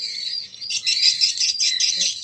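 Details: Edited stereo mix of swiftlet calling and roosting sounds, played through an amplifier to draw swiftlets to a bird house: a thick chorus of rapid high twittering chirps, rising in loudness after a short lull, then continuing unbroken.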